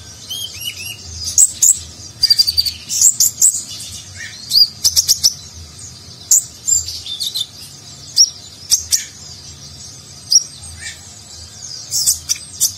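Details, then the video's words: Lively kolibri ninja, or konin, a nectar-eating sunbird, in rich 'nagen'-style song as training audio for contest birds; rapid series of shrill chirps, twittered phrases and short trills tumble along with brief gaps, over faint low rumble. "Konin Gacor Isian Mewah Gaya Nagen, Cocok Untuk Masteran Burung Lomba"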